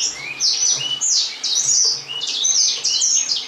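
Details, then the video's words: A steady stream of high-pitched Gouldian finch calls: bright, clipped tweets and brief sliding squeaks, several birds overlapping almost without gaps, over a faint low hum. "Amadyna Wspaniała"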